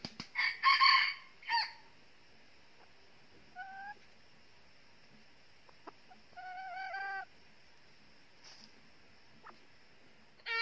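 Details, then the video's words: Junglefowl decoy hen of the northern red-eared type, set at a trap for wild males, opens with a loud harsh burst, then gives scattered single clucks and a short rapid cackle run amid long quiet gaps. "Bẫy gà rừng bằng gà mái mồi tai đỏ miền bắc mới nhất"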